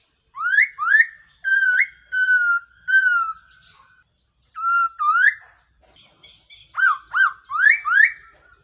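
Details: Black-throated laughingthrush call used as a trapping decoy: a string of rich whistles, upslurred notes and longer level tones, broken by short gaps, ending in a fast run of rising and falling whistles.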